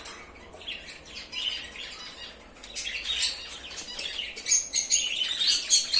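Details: A pair of albino cockatiels give scratchy, high chirps and squawks that grow louder and busier toward the end.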